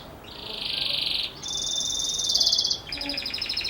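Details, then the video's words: Belgian canary in bell-style ('campainha') song, meant for young birds to learn: long, fast, even, high trills held about a second each, shifting pitch between phrases, fairly soft with light background hiss. "Canário Belga Canto Campainha Ótimo Para Filhotes"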